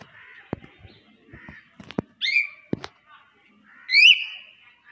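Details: Common hill myna talking: scattered dry clicks and taps, a short rising whistled note midway, and a loud ringing harmonic whistle near the end, over quiet voice-like murmurs.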